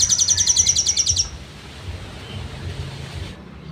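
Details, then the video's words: Crimson sunbird (sogon) trotol-style song, kept as songbird training material: a short burst of rapid, high, evenly repeated trilled notes lasting just over a second, then only low background hum and rumble. "SOGON TROTOL materi sejalur"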